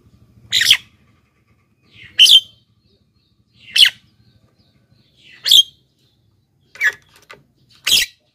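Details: Javan myna giving harsh calls, used to attract wild birds and prompt lazy captive birds to sing; rasping squawks spaced about one and a half seconds apart, six in all, with faint low hum early on.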